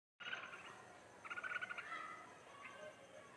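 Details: A rescued bulbul's offspring gives a short run of bright, liquid, chattering notes over a faint steady hiss.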